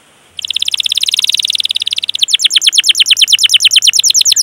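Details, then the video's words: Canary rolling song for luring other canaries: after a short quiet start, a continuous high buzzy trill of rapid pulses that gradually slows into distinct repeated chirps, with a faint low hum behind. "Masteran Suara Burung Kenari Gacor Panjang cuit cuit Ngerol untuk Pancingan Kenari!"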